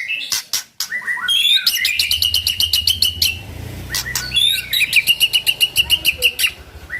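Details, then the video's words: White-rumped shama song meant to trigger other shamas: clicks, then rapid runs of repeated chattering notes, a pause of loud clicks, and another fast repeated series over a low hum. "murai batu gacor sangat cocok buat pancingan murai batu agar bunyi ikut NYAUT"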